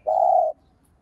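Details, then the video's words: Spotted dove used as a lure bird to stir other doves into calling: a single steady, low hollow coo held for about half a second, then quiet. "Cu gáy mồi cây gáy gọi thúc ,gù bổi hay. tiếng cu gáy mồi cây kích bổi hiệu quả, cu đất gáy"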